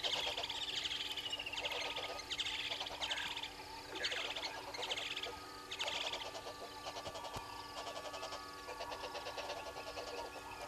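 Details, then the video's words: Red-billed hornbills below the camera at Gowrie dam waterhole, Djuma Game Reserve, Sabi Sand, South Africa, 06:32 on 03/07/2022, give hollow clucking notes about one a second, under other birds' chirping and a mechanical hum. "Red-billed Hornbills below cam"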